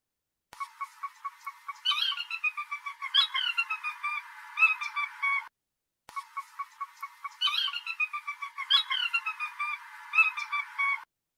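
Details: A Sora, a bird common but rarely seen in the marsh at Sweetwater in Tucson, gives its high, squealing, dolphin-like whinny: a run of bright notes that tumbles and descends in pitch over about five seconds, given twice.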